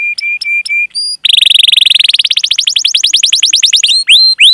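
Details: Canary 'cuit cuit' song meant to lure other canaries into song: flat piping notes, one high whistle, a long rapid roll of rising chirps, ending in loud upswept whistles.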